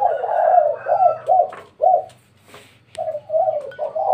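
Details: At home around midday, a spotted dove gives low, breathy coos in a quick run, pauses, then starts again, with faint clicks and a low background hum.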